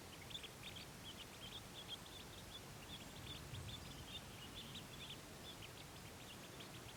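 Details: In British Columbia in the morning, ducklings (likely mallard) leaving the pond after a swim to warm under their mother give thin, high peeps in quick, overlapping bursts over a steady low rumble.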